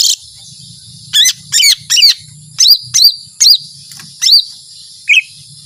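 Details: Lesser green leafbird in energetic 'tembakan panjang' song, a series of crisp, high, rising-and-falling whistled notes, each about a third of a second, delivered roughly once a second against a quiet background with faint low hum.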